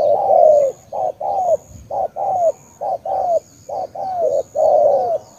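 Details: Cooing spotted dove from Cà Mau, Vietnam, repeating a short hoot followed by a longer, down-curving coo, phrase after phrase about every second, soft and resonant, over a faint steady high whine.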